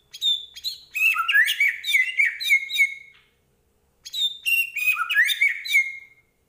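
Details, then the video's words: White-rumped shama, Medan type, in strong 'gacor' song packed with 'isian': two long, matching bursts of chattering, whistled notes descending into a drawn-out level whistle, separated by a second of silence. "Murai Batu Medan Gacor Full Isian"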